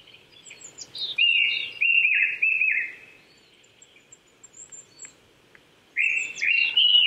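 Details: Japanese thrush in full song, Chichibu, Saitama, Japan, 800 m, April 2019 morning: a loud series of three descending whistled notes, a quiet gap with faint chirps, then another loud fluty phrase.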